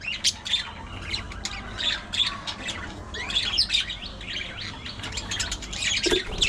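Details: Budgerigar gossip-like chatter: rapid, irregular squeaks, chirps and harsh little rasps running on continuously, rising in energy toward the close.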